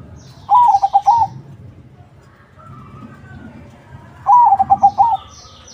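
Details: Lure song of a crossing-type zebra dove, sung to get other zebra doves to reply: two rapid, rippling coo phrases about four seconds apart, with faint distant cooing and low rumbling noise between them.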